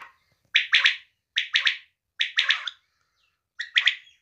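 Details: A female quail gives four bright, clipped three-note phrases, each about half a second long and repeated every second or so, against a quiet background.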